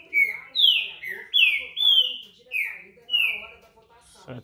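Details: Green-winged saltator, called trinca-ferro verdadeiro, singing a phrase of six clear whistled notes, each slurring downward, spaced about half a second apart, with a faint click at the end.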